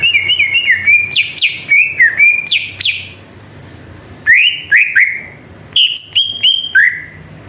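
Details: Lure song of a greater green leafbird, played to rouse other birds into song in jamtrok style: bright, clear whistles with sharp upward flicks, in fast bursts broken by a brief pause, then louder sliding notes and high ticking accents.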